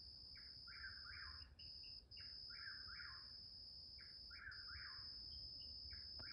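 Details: A Chuck-will's-widow gives its midnight call, a rolling, whistled four-note phrase rising then falling about every two seconds, over a steady high insect drone.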